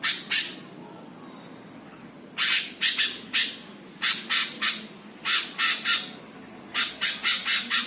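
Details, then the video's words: Greater green leafbird training song aimed at provoking other birds, tagged Jepara: repeated rapid bursts of harsh, grating notes, about three to four per burst, in a fast chattering rhythm. "MASTERAN CUCAK HIJAU BIKIN EMOSI BURUNG LAIN"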